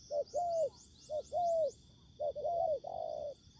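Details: Spotted dove decoy at a ground trap meeting wild fighting doves: soft, low coos, a short note then a longer arched one, repeated in quick phrases over a faint, steady high buzz.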